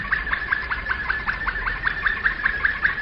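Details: Flute-style (flawta) domestic canary song: a steady, rhythmic series of short bright notes repeated about five times per second, each a quick downward flick, even and unbroken throughout.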